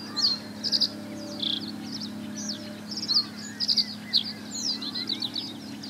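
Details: Male common reed bunting singing short, jerky phrases of a few high, chirping notes, repeated every second or so over a low, steady background hum; Ochsenmoor ditch at Hüde, 29 May 2017, 16:45.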